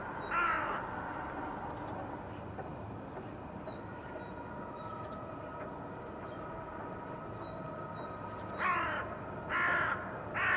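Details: Crows in a blue sky, 2022: one harsh caw at the start, then a long quiet stretch with faint small chirps, followed by three more loud hoarse caws near the end over constant background noise.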